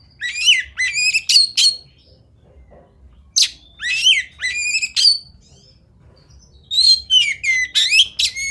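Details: Oriental magpie-robin, locally kacer, performing 'fighter'-style song: rapid volleys of scratchy, rasping notes and bright sliding whistles, grouped in energetic bursts of several phrases with brief silent gaps between them.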